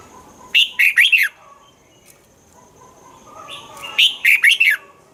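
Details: Red-whiskered bulbul song from Thailand, played to stir up caged birds. Two bright, liquid phrases of four quick slurred notes, each lasting under a second, sit about three seconds apart over a quiet background.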